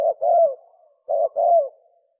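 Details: Spotted dove in the 'sấm chuông' cooing style, aimed at stimulating males, females and wild birds: two paired phrases, each a short flat note then a longer wavering coo ending in a downward slide.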